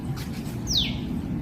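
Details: Tiny bird on a balcony calling loudly for a long time, reason unknown; a single sharp note sweeping quickly from high to lower pitch, with low rumbling background noise.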